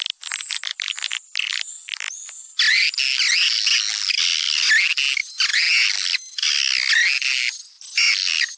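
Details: Swiftlet attraction call, a popular sound in Sumatra: short sharp chirps at first, then long buzzy, warbling twitter phrases that rise and fall, broken by short pauses.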